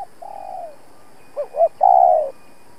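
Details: A spotted dove kept as a trapping decoy challenges rival males. A softer long coo comes first, then a louder phrase of two short rising notes and a drawn-out falling coo.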